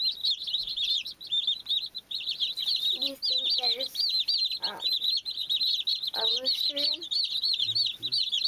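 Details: Several baby chicks peep nonstop in high, shrill, overlapping chirps. Short lower harmonic calls or voices surface a few times beneath the chorus.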